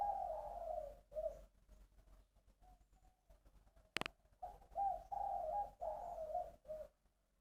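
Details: Three-phrase 'bronze voice' cooing from a caged spotted dove in Long An, Vietnam: deep, rounded coo phrases rolling in sequence, broken by a sharp click near the middle, recorded indoors.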